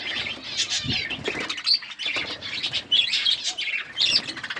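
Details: A group of coloured budgies chirps in uneven bursts, high grating warbles mixed with sharp short whistles and clicks, swelling and fading every second or so.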